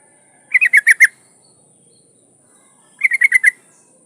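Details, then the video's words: A breeding-condition female yellow-vented bulbul calls for a male, giving two short bubbling bursts of five or six rapid notes each, about two and a half seconds apart, with a thin constant high hiss behind. "trucuk betina memanggil jantan"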